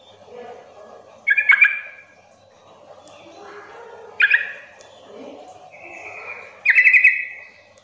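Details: Sooty-headed bulbul calling as a lure so that quiet, untrained bulbuls start answering back: three separate bursts of bright, chattering bubbly notes spaced a few seconds apart, with a low murmuring background between them.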